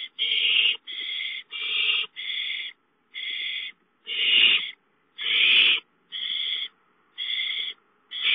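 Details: Owls at a nest where a gopher is delivered as prey. Rasping, hissy screeches come in an uneven run of about ten bursts, some louder and longer than others.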